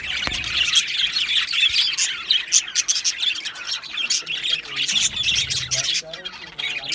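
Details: Two male budgies chirping, a rapid jumble of twittering notes and squeaky whistles that rise and fall in short bursts, with a soft low thump near the start.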